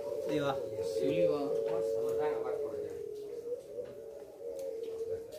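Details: A long, low, drawn-out dove coo (puter pelung) holds one steady pitch for several seconds at a free-class cooing contest in Situbondo on 24 April 2022, with people talking over it.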